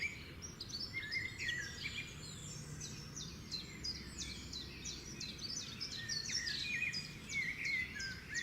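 Many sparrows chirp together in a dense, overlapping chatter of short, bright notes, with a low background rumble throughout.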